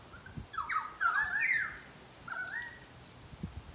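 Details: Pied currawong in a Brisbane garden gives a loud, rich, gurgling phrase of slurred whistled notes, then a shorter rising whistle a second later, over faint background noise.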